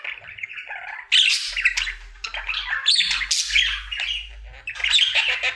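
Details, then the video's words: A single pet budgerigar, male, singing his daily routine indoors; soft chatter opens, then loud harsh squawks and scratchy chirps burst in, running as a continuous warble over a faint low hum. "Budgie singing for 1 Hour Happy song!"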